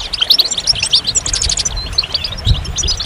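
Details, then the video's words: Lively goldfinch song of crowded, tinkling high notes and fast chirps, run together into a steady twitter, with a low rumble in the background. "Magical Goldfinch Songs"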